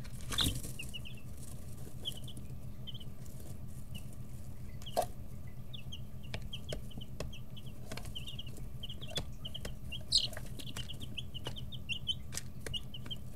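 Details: Young chicks, 11 to 13 days old, in a brooder; scattered then increasingly frequent high short peeps from a group, a few loud knocks, and a steady low hum underneath.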